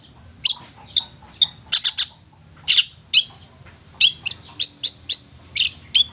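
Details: Long-tailed shrike lure song meant to set silent shrikes singing: spaced bursts of harsh, scratchy high notes and short sharp chips, some paired or tripled, separated by brief quiet gaps.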